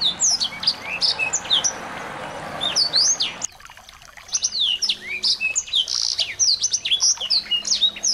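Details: Small birds in a lure recording for a white-rumped shama: high chirps over a soft hiss for three seconds, then a clearer, denser stream of sharp twittering and whistled slurs to the end.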